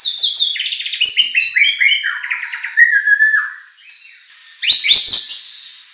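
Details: White-rumped shama song used to provoke a competition bird into replying: a cascade of descending whistled notes, a pause, then loud harsh sharp notes.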